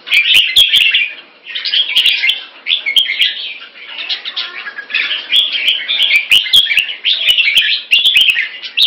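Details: Caged red-whiskered bulbul from Singapore sparring in rotation with fast wing display; rich, hurried warbled phrases come in bursts about a second apart, mixed with frequent sharp ticking clicks.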